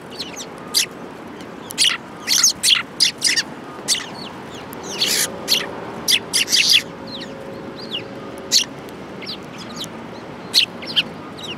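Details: Flock of sparrows gathered at food at a Tenmangu shrine, 22 January 2018, giving a busy run of sharp high chirps, clustered densely between two and seven seconds, then scattered single notes.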